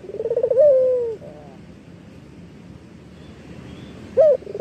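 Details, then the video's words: Eurasian collared dove, a local bird in full song, recorded as a lure for training other birds: one rapid pulsed roll ending in a drawn-out falling coo, then near-silence before a short sharp note starts the next phrase. "Suara Puter Lokal Manggung . AMPUH UNTUK MASTERAN ! Pancingan Suara Burung Puter Lokal Gacor !"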